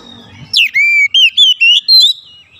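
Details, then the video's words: Caged Oriental magpie-robin at home, singing richly: a sharp downslurred note followed by a series of clear, sustained whistles, each rising or wavering slightly, delivered in a steady sequence. "Kacer rumahan selalu bunyi gacor"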